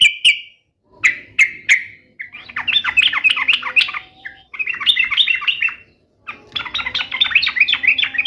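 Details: Song of a sooty-headed bulbul meant to prompt caged bulbuls to answer: three sharp separate notes, then long runs of rapid, chattering, warbled phrases with brief pauses between them.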